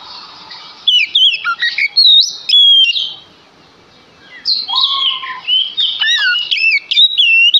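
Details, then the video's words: Lure song of a male Oriental magpie-robin meant to make other magpie-robins sing. Sharp, loud whistled notes tumble quickly, pause, then resume with a lower, steady whistled note and more bright slurred phrases. "Sekali Dengar Kacer Langsung Nyaut Dengan Pancingan Kacer Gacor Ini"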